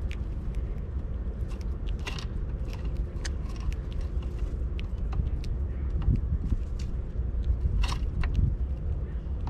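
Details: Steady low rumbling, like traffic, fills the recording, with scattered sharp clicks and knocks and no clear animal calls.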